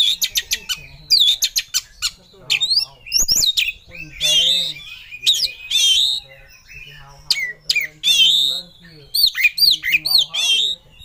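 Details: Oriental magpie-robin seeking a rival gives an emotional, aggressive song of rapid harsh clicks, rattles and slurred whistles in short bursts, with a faint low hum underneath.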